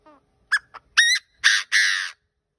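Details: Decoy partridge calling: a quiet descending note, a couple of short sharp chips, then a burst of three loud, coarse, buzzy notes about half a second apart.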